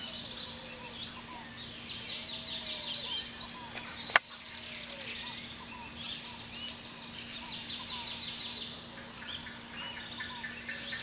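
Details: A pair of severe (chestnut-fronted) macaws giving harsh, raspy screeches and chatter in overlapping bursts, early morning on the Hato El Cedral cattle farm, Venezuela, with soft low whistles from other birds and a steady background hum.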